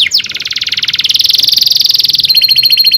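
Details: Canary in full rolling song, a tutor song for young canaries learning to sing: a rapid, steady trill of high repeated notes, shifting to a thinner pitch near the end.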